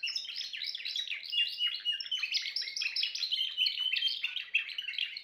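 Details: Dense Timbrado canary song made of rapid, repeated chirped notes and rolling trills, sustained and high, with occasional longer whistled tones.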